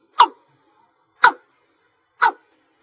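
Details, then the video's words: Night-calling watercock (cúm núm) in slow single-note style: three clean, percussive knocks about one second apart against a quiet background. "Tiếng cúm núm ăn chim GÀ THÚC CHẬM, tiếng đánh đơn rất ok"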